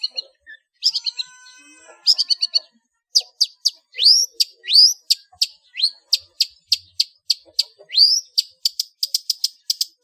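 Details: Long-tailed shrike used as a master singer for cage birds, its song full of imitated phrases. A brief rattle leads into a long series of sharp, upward-sweeping whistled chips, some repeated in quick pairs and triplets.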